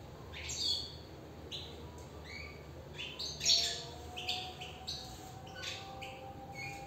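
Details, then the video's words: European goldfinch singing from inside a cage: scattered bright chirps and brief twittering phrases. One note stands out loud near three and a half seconds. A faint low steady whistle-like tone lies underneath. "نبدة من انسجام و تغاريد للحسون من داخل السلاكة"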